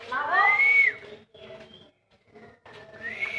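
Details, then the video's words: Wild black-naped oriole giving a loud, mellow whistle that rises and falls over about half a second, followed by softer, quieter notes and a final rising whistle; constant low background hum. "gaya burung kepodang - suara burung di alam liar"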